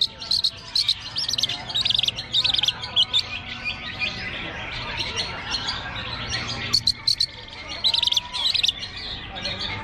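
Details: Contest long-tailed shrike on the hanging perch, delivering rapid clusters of high chattering and scratchy notes in bursts separated by brief pauses, with a low constant hum beneath.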